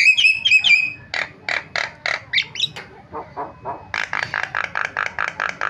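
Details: Lure recording of a starling, used to provoke silent starlings into calling: a few nasal harmonic notes, then a steady series of rasping, harsh notes at about four per second, with a brief lower, quieter stretch midway.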